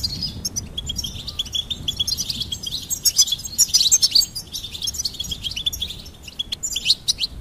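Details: Goldfinch singing for bird stimulation: sustained lively twittering with bright, rapid high notes and trills rising in intensity mid-phrase, over faint background hiss.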